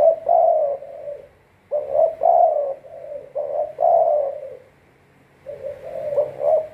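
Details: A captive spotted dove used as a decoy bird gives soft, low cooing phrases in three bursts, each a run of throaty hoots with a slight rise and fall, separated by short pauses.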